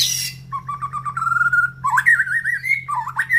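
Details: White-rumped shama in breeding condition singing from a round cage near breeding cages: long wavering whistled phrases, trilled at first then sliding up and down, ending in varied slurred notes over a low hum.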